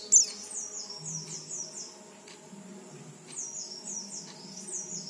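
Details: Oriental white-eye song played to stimulate untrained white-eyes to start singing: high, thin twittering phrases of quick descending slurred notes in two bursts, opening with one sharp bright chip, over faint low background hum.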